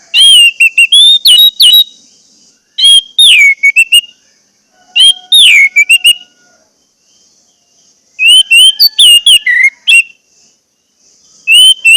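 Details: Orange-headed thrush song used to coax silent birds into singing: four bursts of varied whistled phrases with downward swoops and rapid chips, each one to two seconds long and spaced by short silences.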